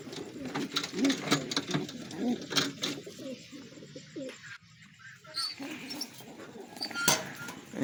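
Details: Several racing domestic pigeons (Columba livia domestica) coo in low, throaty, overlapping rolls indoors during the first few seconds, then quieter rustling and a sharp click.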